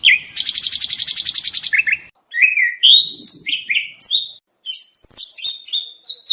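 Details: Oriental magpie-robin contest training song: a rapid buzzy rattle, then varied sliding whistles and sharp high chirps in quick phrases separated by brief silences.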